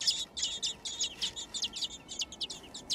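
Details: Thrush nestlings, six young in a garden nest, begging at feeding time with a thick stream of shrill, squeaky chirps repeated many times per second without pause.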